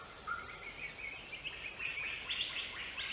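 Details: Greater racket-tailed drongo uttering a string of bright, chirpy notes at irregular intervals. A lower whistled note comes early on. Steady high hiss and faint ambient noise fill the background.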